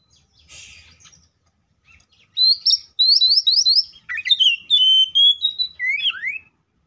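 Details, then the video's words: Oriental magpie-robin fighting song, used to make other magpie-robins sing: after a brief noisy burst, a run of rapid repeated downslurred notes, then a longer varied phrase of clear whistles and slurred notes ending in a falling note. "KACER GACOR FULL ISIAN MEWAH TARUNG NGEPLONG NGOTOT❗PALING AMPUH BUAT PANCINGAN KACER AGAR BUNYI!"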